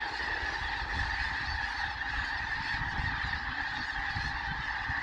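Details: A huge flock of several thousand geese, countless overlapping honks merging into a steady, dense roar with no gaps.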